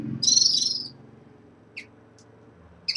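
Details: Red-fronted serins in a cage at moult onset: one loud, buzzy, high chirp opens, followed by silence and two brief thin notes, with a low hum underneath.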